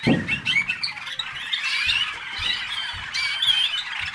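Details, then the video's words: Waterslager canaries from North Canton, Ohio, USA, warble and twitter nonstop in layered, overlapping phrases, with a low knock at the start and soft dull thuds recurring underneath. "waterslager canary"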